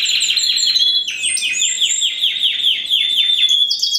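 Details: Captive-bred 2015 Spanish Timbrado canary, first-generation cross with wild canary, singing a series of quick downward-slurred notes repeated about three times a second over a steady high trill.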